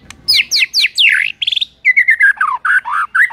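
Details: White-rumped shama song used as a morning lure to make other birds sing: loud rich whistled phrases, several steep downslurred notes then a run of clear repeated whistles and fluty slurs.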